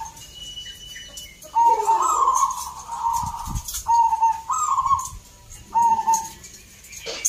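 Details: Zebra doves at a local singing competition in Salatiga, Central Java, with birds brought from many towns; rolling, trilled cooing phrases near one pitch, several bursts with short gaps, plus crowd noise and clicks.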